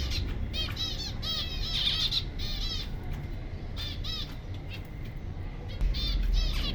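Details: Zebra finches, five breeding pairs, give nasal, toy-trumpet beeps and buzzy chatter in quick, irregular bursts over a low rumble.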